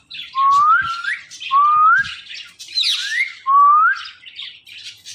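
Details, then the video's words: Talking parrot kept as a pet whistling a series of four bright, upward-sliding notes at a steady pace, with rasping chatter in the gaps and faint low knocks. "this Parrot talking are non stoppable"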